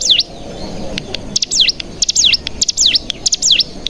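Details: Bar-winged prinia lure sound for prompting other prinias to sing 'bren': a few bright, high chirps that plunge downward and flick back up, given every half second after a short quiet start.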